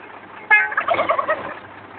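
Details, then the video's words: Two wild turkey toms in El Dorado Hills answer a brief truck air-horn blast, meant to move them out of the way, with an immediate rapid, rattling, burbling gobble lasting under a second. "Calling turkeys with a garbage truck"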